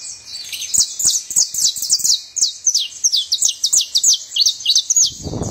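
A saffron finch sings a lively run of sharp, high chips and short descending notes, about three per second, with faint background clicks and a brief rustle at the end.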